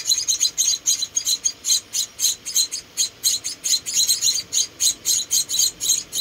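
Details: Four hand-reared munia babies being fed: sharp, high-pitched chirps repeated about three to four times per second.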